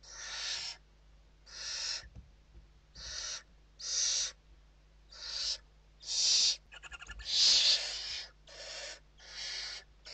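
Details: Western barn owls at an indoor nest in Spain, evening feeding on 29 November 2023; about ten rasping hiss-calls in a steady series, one brief rapid ticking rattle midway, low hum throughout.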